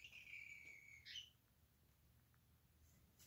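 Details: Ten Senegal parrots housed indoors in a former office now used as a bird room; a thin whistled note held about a second, ending in a short sharp upturn, over a low indoor hum.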